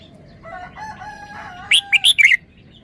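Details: A red-whiskered bulbul's sweet three-syllable song: faint, sustained tonal calls first, then a crisp, loud phrase of four quick whistled notes before falling quiet.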